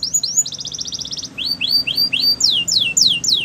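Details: Canary singing: rising whistles, a rapid even trill, then slower series of upswept and downswept whistled notes, each repeated about every quarter second.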